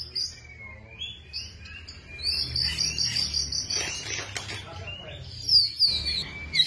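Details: Long-tailed white-rumped shama, a kept songbird with a tail of about 29–30 cm, singing varied whistles: a sliding note, a long sustained high tone, and quick chirps, over steady low background noise.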